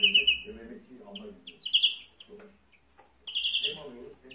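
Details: Buzzy, trilled wheeze notes from a European greenfinch open and close the passage, with a few short chips between and low voice-like sounds underneath.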